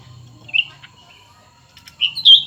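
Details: Cucak ranting in a song duel between a new bird and an old one. One short whistled flourish is followed by a pause, then a louder rising double whistle.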